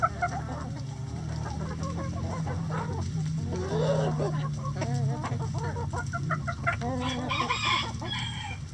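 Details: Chickens clucking in a coop, many birds calling at once in short irregular notes and squawks, with a low background hum throughout.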